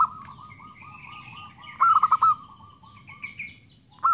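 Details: Zebra dove: a soft run of low cooing notes, then one loud, rapid five-beat coo. Another coo begins at the end, with faint higher bird notes in the background.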